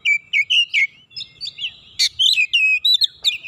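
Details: Oriental magpie-robin heated by a rival: clear whistled notes, some rising and some falling, delivered in quick separate phrases, then a sharp burst and a long drawn whistle.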